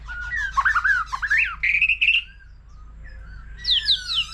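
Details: Mature wild-caught white-rumped shama in varied competition song, with a laughingthrush also singing. A rapid warbled run rises into a long even whistle, then a quiet stretch before high sharp notes return.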